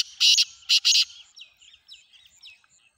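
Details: Black francolin, locally called kala tetar, giving three harsh, rasping bursts: one short, then two longer close together. Faint thin chirps from small birds follow through the rest of the recording.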